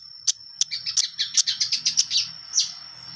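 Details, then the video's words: Long-tailed shrike singing vigorously in clear voice: sharp, bright chirps that speed up into a quick run of notes then stop, over a faint low hum and a steady high tone. "cendet gacor full materi suara jernih"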